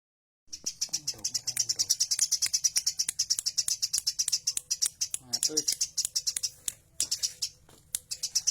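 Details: Tame Eurasian tree sparrow calling actively, giving a steady run of sharp, high, dry chirps repeated several times a second, with brief low murmurs of human voice indoors.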